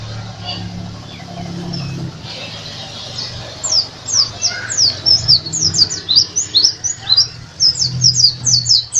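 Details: Bali dakun white-eye, a national champion contest bird, opens with faint low murmur before a fast run of high, thin, sharply slurred chirps repeated about twice a second over a low hum.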